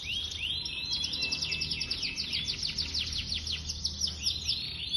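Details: Yorkshire canary song: dense rapid series of sharp downward-sweeping notes and rolling trills, bright and high, delivered without pause over a quiet low hum.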